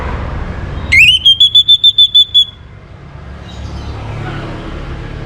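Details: Orange-headed thrush singing in the morning, used as a lure to bring other birds into breeding condition: one high whistled phrase rising then held steady, broken into rapid even pulses, over a low rumbling background.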